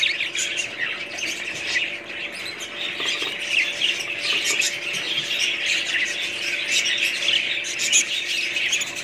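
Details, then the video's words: Long stretch of busy budgerigar flock noise: harsh squawks, squeals and warbling chirps overlap continuously at a steady level. "budgies parrots"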